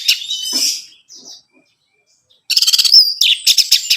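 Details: Orange-headed thrush song meant to stir a captive bird to sing, a short burst of notes, a pause, then fast repeated trilled notes.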